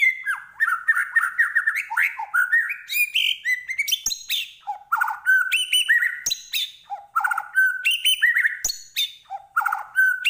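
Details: Continuous varied song of a white-rumped shama from Medan, Indonesia: rapid warbled runs, mimic-like chatters, sharp high ticks and short whistled notes, delivered in dense overlapping bursts.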